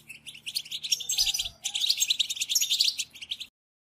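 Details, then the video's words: European goldfinch chatter used to stimulate silent goldfinches into singing: dense twittering bursts of quick, high notes in two phrases, broken by a short pause near the middle and ending in silence after three and a half seconds. "بتبتة حسون رهيبة تخرج الطيور من الصمت"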